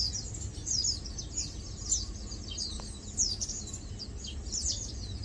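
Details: High, thin downward-sweeping chirps from Lowland white-eyes resting, feeding and preening, repeated in overlapping bursts, with a low rumbling background.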